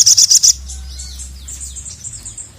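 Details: Sogon calling to a male; four loud, sharp, very high chips in quick succession open, followed by soft, faint downslurred high notes and thin whistles.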